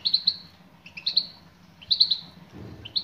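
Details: Female European goldfinch calling a male: triple chirps, each a quick descending trill, repeated about once per second, with a faint low rumble near the end.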